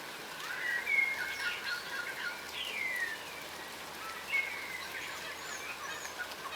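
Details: Yellow rosellas, a crimson rosella subspecies, foraging on the ground give sparse whistled notes and downward slurs, a few soft chattering bursts separated by quieter gaps, over a faint hiss of outdoor noise.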